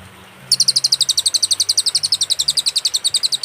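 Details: Cililin song from a clear master recording with pauses, used to tutor songbirds: after brief quiet, a fast train of high, sharp double-toned chirps repeated about four times a second, steady and unbroken to the end.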